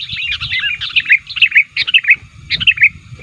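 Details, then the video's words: Bulbul lure sound to draw in wild sooty-headed bulbuls: rapid, overlapping bubbly chirps in short phrases, each ending in a brighter twisting note, over a low background murmur. "pikat BURUNG KUTILANG Terbaik di akhir thn ini aktif menekan lawan"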